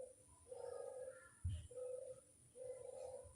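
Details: Barbary dove lure call, faint: three even, level coo notes of about a second each at a steady pace, broken by a single low knock, over background hiss and a high steady whine.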